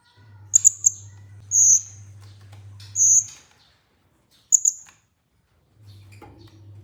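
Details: Olive-backed sunbird (kolibri ninja) in a masteran recording meant to stimulate other sunbirds to sing: short, very high, sharp chirped notes spaced unevenly about every one to one and a half seconds, with a low steady hum beneath.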